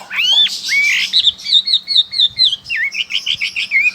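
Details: Chinese hwamei recorded in Banyumas, Central Java, Indonesia, giving clear, rich whistles: long slurred rising-falling notes, then a rhythmic run of wavering repeated whistles, several per second, ending on a lower downslur.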